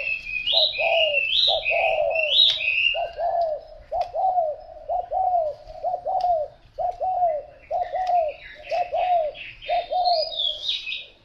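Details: Spotted dove cooing steadily, short low hollow notes in paired groups about once a second for eleven seconds, with brief high twittering from another bird at the start and end.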